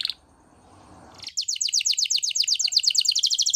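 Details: Canary singing a training song in the Spanish Timbrado style: after a brief quiet pause, a steady fast trill of sharp high notes, about four per second, running evenly to the end.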